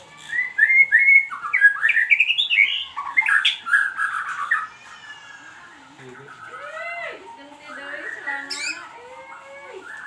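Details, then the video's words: White-rumped shama lure song (pancingan): loud, fast, varied whistled and chattering phrases for several seconds, followed by softer, lower, drawn-out sweeping notes and a few scattered high calls. "pancingan suara buung muray batu"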